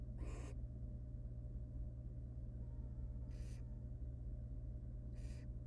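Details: Barn owl nest in the wild. Of four eggs, three hatched; the mother eats the unhatched dead nestling. Three loud, rasping hiss-screeches are spaced two to three seconds apart over a steady droning hum.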